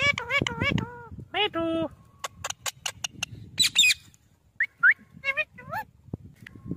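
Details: Talking parrot (tota). Quick runs of harmonic, speech-like syllables with rising and falling pitch are mixed with sharp clicks, a brief rough burst and a few whistled upslurs.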